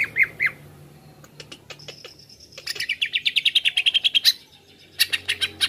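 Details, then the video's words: Greater green leafbird lure song to stir up other birds. Three wavering whistles, sparse clicks and a long thin whistle lead into a rapid rattling series of chirps, then a final burst of sharp notes. "Masteran/pancingan cucak ijo langsung emosi"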